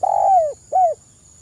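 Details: Active spotted dove song played as a lure for other doves: one long, mellow coo sliding gently downward at its end, followed by a shorter arched coo.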